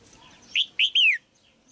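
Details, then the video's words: Caged female red-whiskered bulbul singing to stimulate an adult male: one short phrase of three loud whistled notes, rising then sliding down, the last note longest and falling, in a quiet room. "นกหัวจุก birds นกตัวเมียขับขานอย่างไพเราะในกรงเพื่อกระตุ้นนกตัวผู้ที่โตเต็มที่"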